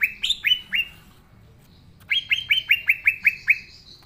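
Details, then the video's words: Green leafbird singing at full pace, natural voice as a lure for juveniles not yet singing: four sharp falling whistles, a brief gap, then a rapid series of eight clear downslurred notes. "Cucak Ijo Gacor Suara Asli"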